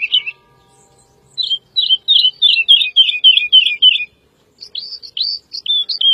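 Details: Woodlark (Lullula arborea) song with a short note, then an accelerating string of melodious repeated slurred notes descending slightly, a gap, and a few separated curved whistles; quiet background.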